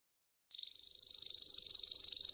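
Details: Canary song meant for teaching young canaries: after a short silence, one steady high rolling trill begins and continues evenly, slightly rising in strength.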